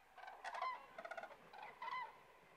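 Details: Common cranes rest south of Kastlösa in September 2013, giving a short exchange of loud, resonant trumpeting calls, harsh rolling notes alternating with clear, slightly rising bugles.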